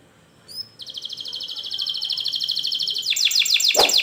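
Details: Canary in full rolling song, played to teach young birds to sing: brief high whistles, then a long steady rapid trill of repeated notes, shifting into a louder, faster, denser roll at the end.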